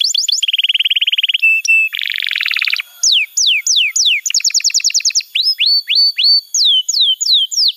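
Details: Canary master song for training young canaries: a fast mechanical trill, a flat tone, a harsh buzzy rattle, then descending whistles and quick trills alternating with upward-curving notes.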